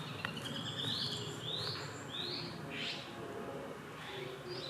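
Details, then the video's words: Male Japanese sparrowhawk in mixed woodland of a park, recorded 10 May 2021, calling the female after catching prey while she stays away; about five short, rising squealing notes, roughly one every 0.7 seconds, over steady background noise. "ツミ 雌を呼ぶ雄"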